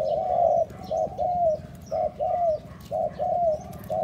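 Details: Spotted dove calling to stimulate and lure other doves: low, soft hooting coos in short groups, some notes drawn out and some clipped, repeated about once a second over steady low background hum.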